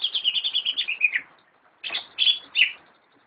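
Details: A greater green leafbird kept by a friend gives a quick run of repeated high notes that slide lower, then after a short pause adds three loud, clipped whistled phrases.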